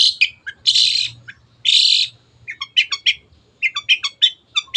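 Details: Long-tailed shrike singing for a caged-bird training recording: two long, harsh, noisy rasps, then a run of quick stacked chirps and short whistled notes in irregular bursts.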